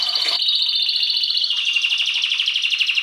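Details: A canary delivers a dense, loud rolling trill that stays even for three seconds, dropping slightly in pitch midway.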